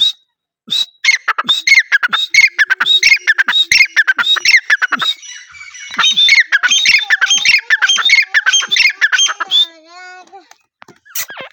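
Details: Sustained francolin calling, a long series of loud harsh squawking phrases delivered rapidly and continuously for about nine seconds, fading into softer notes near the end.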